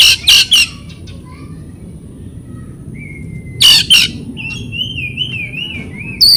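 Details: Oriental magpie-robin (kacer) played as a training recording to stir silent, stressed or non-singing birds into song. Harsh rasping bursts in pairs, separated by a thin level whistle and a long wavering, warbled whistle, over a steady low background hum.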